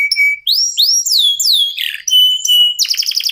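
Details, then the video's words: Local canary song used as a lure to get other birds singing: a varied phrase of a flat, steady whistle, rising and falling swoops, sustained pure tones, then a fast buzzy trill at the close. "KENARI LOKAL GACOR TOTAL, SEMUA IKUTAN BUNYI..PANCINGAN AMPUH BIKIN CEPAT GACOR"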